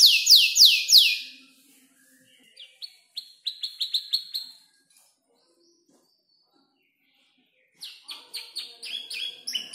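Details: Five-month-old canary copying tutor birds like ciblek, klik-klik and prenjak lumut while learning its song: a burst of loud sweeping notes, softer stuttered chirps, a long silence, then a renewed chattering phrase.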